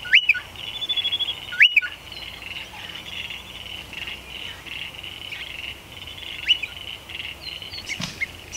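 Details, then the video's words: Striated pardalote at its nest in a stone wall under a shed, where a pair courted, built the nest and raised two young; sharp high chip notes with a few brief upslurred calls, over a steady high hiss. "Striated Pardalotes at their nest"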